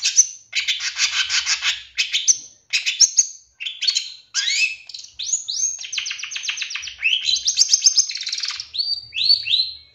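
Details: Champion long-tailed shrike from 2023, its song played as a lure so a listening bird starts singing fast and gets worked up. A continuous, varied stream of buzzy rattles, slurred whistles and rising squeaky notes.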